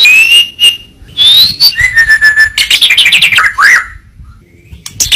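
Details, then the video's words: Training song of a white-rumped shama (murai batu): long, pure, level and gently falling whistles lead into a rapid chattering run of clipped notes, then a rising slurred whistle before quiet. "Masteran burung murai batu suata unik sukses bikin emosi"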